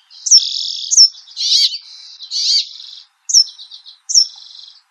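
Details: Brambling: high whistled downslurs alternating with long harsh buzzy, rasping notes, delivered almost continuously before two separate whistles with buzzy tails.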